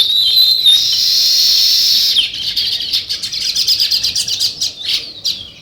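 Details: Sparrows, identified as weaver birds, chirping naturally. A dense, continuous high twitter with whistled slurs opens the recording, then changes to a fast series of separate sharp chirps, nearly three each second.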